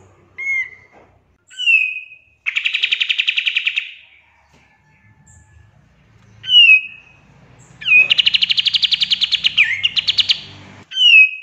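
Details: Pied triller in full 'tembakan' song, recorded as tutor material for songbirds: short slurred whistles alternating with two loud, rapid buzzy trills, the second rising slightly in pitch, with brief pauses between phrases.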